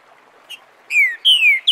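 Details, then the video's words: Green-winged saltator (Saltator similis) singing the "Bom dia seu Chico liso" dialect, recorded live for teaching young birds: a faint short note, then three clear whistles that slide downward, the last cut off, over a quiet background. "Trinca ferro canto Bom dia seu Chico liso para ensinamento de filhotes"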